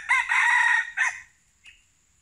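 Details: Crow of a junglefowl kept to lure wild junglefowl: a brief harsh opening note, a long strained middle section and a short clipped ending, all within about a second. A faint higher chirp follows in the quiet after.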